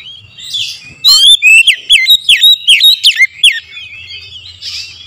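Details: Oriental magpie-robin giving a morning lure song: a lively sequence of about ten loud, bright whistled notes, some downslurred and some upswept, packed into two and a half seconds, with faint chirping afterward.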